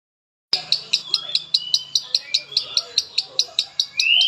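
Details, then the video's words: Pet lovebird from Palembang singing in the konslet style: sharp clicking notes repeated about every fifth of a second under a thin, high whistled line that rises steeply at the end. "LOVEBIRD KONSLET"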